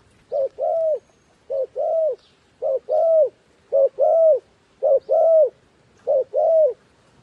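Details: Decoy dove calling to lure wild doves down; a short low note followed by a longer, arched coo, the pair repeated six times at steady intervals of about one second in quiet surroundings.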